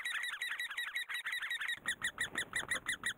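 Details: Great spotted woodpecker in Korea while raising young: overlapping squeaky calls at first, then a cleaner run of single sharp notes, around three a second, against a faint low rumble.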